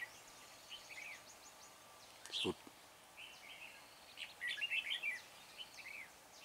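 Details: Decoy red-whiskered bulbul calling wild bulbuls during trapping at Chùa Hương on 24 March: scattered chirpy whistled phrases, a sharp knock midway, then a dense warbling burst.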